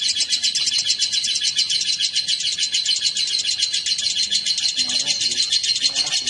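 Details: Lovebirds, a male and a female brought together, singing in a dense, continuous high-pitched chatter of rapid scratchy chirps, about two per second, without a pause.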